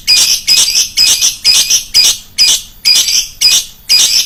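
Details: Lovebird lure recording with a loud, shrill voice: harsh, screeching calls repeated about twice per second in a steady, pulsing series, each burst bright and piercing, with no other sounds.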